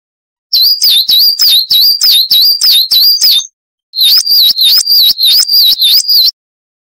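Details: Masteran training recording of a Coal tit, Periparus ater, singing its 'wucit' song: a fast train of high, bouncing two-part whistles, about eight per bout, in two clean bouts split by a brief silence.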